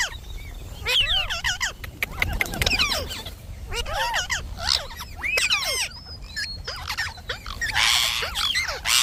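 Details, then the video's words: Talking Indian ringneck parakeet kept as a pet, giving clusters of bending, chattery syllables and a broad raspy hiss toward the end. "Talking parrot video|Ringnek parrot video"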